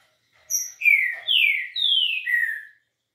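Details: Green-winged saltator singing in the smooth 'liso' style: a short high note, then four strong, clear whistles, each sliding downward, delivered evenly at roughly two per second.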